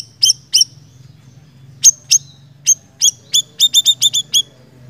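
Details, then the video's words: Repeated high, sharp chirps from a small minivet (siri-siri): scattered single notes at first, then a rapid run of about eight chirps, with a steady low hum behind. "Suara Burung Siri Siri Gacor"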